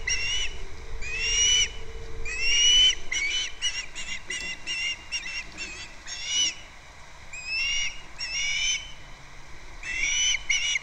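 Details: Osprey calling from a nest on Captiva, recorded by a live nest camera in February: bursts of high, slightly upslurred whistled chirps with short pauses between bursts, over a low background rumble.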